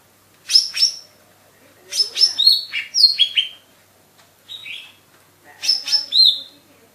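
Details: Cucak ijo mini, the lesser green leafbird, singing 'gacor' style: high, sharp whistled notes and falling slurs grouped in three short phrases, with a softer single note between them.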